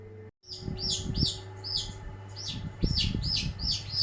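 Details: Champion long-tailed shrike in lively song, repeating a bright rising chirp roughly eight times in quick succession, accompanied by low thumping knocks and a background hum.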